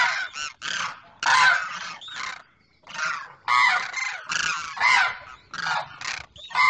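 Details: Male demoiselle crane calling to a female, pair recorded in Pakistan: a series of hoarse, honking croaks in uneven bursts, some overlapping, with a brief quiet pause partway through.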